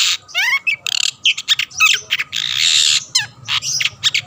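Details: Long-tailed shrike used to provoke rivals into singing: dense, scratchy chatter of harsh bursts, quick slurred whistles and a long buzzy rasp near the middle.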